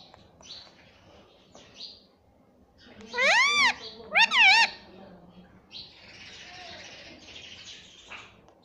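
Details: Pet green ringneck parakeet imitating "mummy" with two loud, arched, ringing syllables in the middle, surrounded by softer breathy hissing and faint squeaks.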